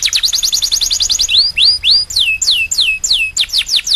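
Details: Canary singing a rapid high trill of evenly repeated notes, followed by upswept whistles and then a string of loud descending slurred notes repeated roughly three times a second.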